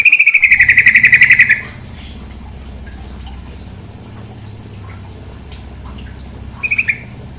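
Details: Female sooty-headed bulbul calling over flowing water: a quick burst of about a dozen sharp, evenly spaced chipping notes, then mostly running water, with a short three-note burst near the end.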